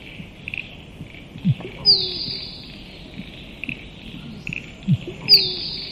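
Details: Two musk duck calls, each pairing a deep, hollow plonk with a clear high whistle that drops in pitch, spaced roughly three and a half seconds apart, with faint insect trills underneath.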